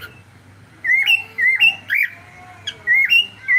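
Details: Pet cockatiel on a live stream sounding clear, loud, rising whistled calls in pairs and triplets, repeated several times, with a quiet indoor hum in the background.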